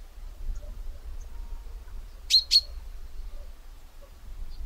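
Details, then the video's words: A single pair of sharp, high chinks from a common chaffinch, closely spaced and abrupt, in the middle of an otherwise quiet stretch with faint low rumble. "Chaffinch call"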